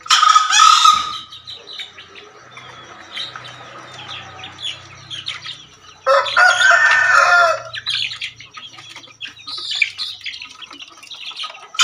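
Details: Two harsh, explosive crows from a male green junglefowl of Java, one at the start and one after about six seconds, each roughly a second long, with scattered chirps of other birds between them.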